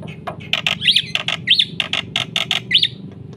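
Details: Black-winged myna in a lively, full song used to provoke other birds into singing: loud harsh squawks alternate with short rising-falling whistles, about a dozen bursts in quick succession over a low steady hum.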